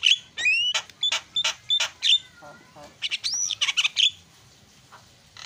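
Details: Lure song of a Javan myna, used to stimulate a mute bird: rapid harsh chacks woven with clear upslurred whistles, a descending warble mid-way, then fading chatter.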